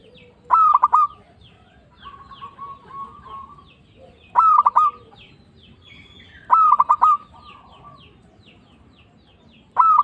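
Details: Zebra dove, a local bird, calling as a trapping lure that stirs other doves to respond. Quick rattling coo phrases repeat roughly every two seconds, with soft higher twitters from other birds in the background.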